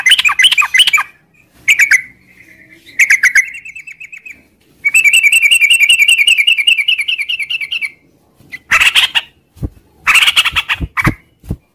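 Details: Morning song of a sooty-headed bulbul in the long 'ngropel' style, with bursts of chattering notes and then a sustained fast trill lasting about three seconds, followed by harsher broadband chatter.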